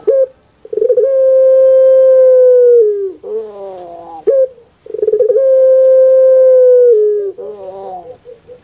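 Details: Puter pelung dove, a cage bird famous in Java, Indonesia, delivering its soft song: two long drawn-out hollow coos, each dropping at the end into a quavering, rolling gurgle, with a brief clipped note between.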